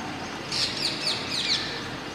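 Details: Indian ringneck parakeets at Masab Tank, Hyderabad: a quick run of about five harsh, high screeching notes over roughly one second, rising above steady background noise.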